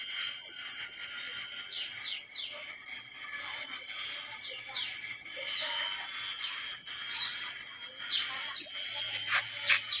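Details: Brown-chested jungle flycatcher from Bali, with a long run of very high, thin, wavering whistles interspersed with quick downslurred notes, continuous and bright throughout, with a faint steady tone underneath.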